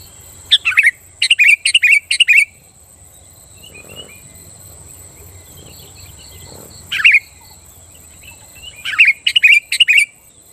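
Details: Sooty-headed bulbul singing vigorously, meant to provoke rival bulbuls into singing: bursts of three or four bubbly, fluttering whistled notes, a lone phrase near seven seconds, then another rapid run at the end. A steady high hiss underlies it.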